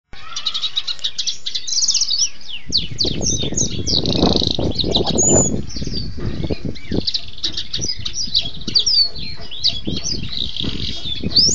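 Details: Canary song used as a tutor recording for other birds: a dense, continuous stream of varied high twitters, trills and quick chirps, with a low rustling, rumbling background throughout.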